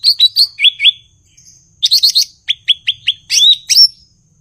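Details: Cucak ijo (blue-winged leafbird) gives paired rising whistles, a short pause, a buzzy chatter, then a series of five quick upward-flicked whistles ending in a squeaky flourish, all loud and clear.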